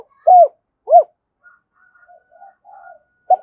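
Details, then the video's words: Spotted dove cooing, used to stir up decoy birds: two short, loud, arched coos in quick succession, then only faint murmurs, and a third coo beginning at the very end. "tiếng chim cu gáy kích bổi hiệu quả mỗi ngày"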